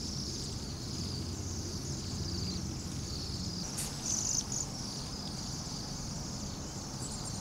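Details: Large flock of Bohemian waxwings, roughly 200 to 300 birds, calling in noisy Anchorage at minus 8 °F: a continuous band of high sibilant trills, briefly louder near the middle, above constant low traffic noise.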